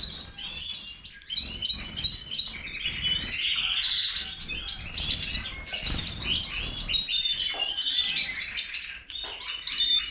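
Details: A European goldfinch sings a fast, liquid stream of high tinkling twitters and buzzy trills, continuous, with no other sounds.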